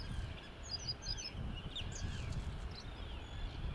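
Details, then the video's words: Migrant Bluethroat in song at the Isle of May bird observatory, Fife, May 2019: thin, high, clear whistled notes and short sliding phrases, quiet against a constant low roar of wind. "Singing Bluethroat"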